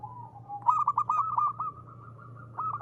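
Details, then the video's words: Ngristal song of a local zebra dove: a soft drawn-out coo slides down, then breaks into a quick stuttering series of bright, clipped notes, with a short rippling phrase closing the excerpt. "perkutut lokal gacor.suara ngristal ampuh buat pancingan."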